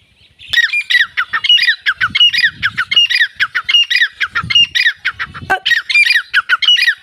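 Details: Grey francolin giving a fast, steady run of loud, harsh, ringing notes, each dropping slightly in pitch, repeated several times per second, with faint low rustling beneath.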